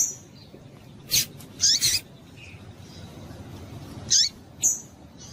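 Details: Female yellow-bellied seedeater's calls, used to get a male excited; a sharp chirp followed by a quick doubled note, a pause, then two more thin high chirps near the end.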